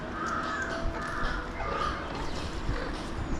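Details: Alexandrine parakeets in Mumbai, India, watched from a window: harsh, grating screeches, several short calls overlapping over a few seconds, against a steady low rumble of background noise.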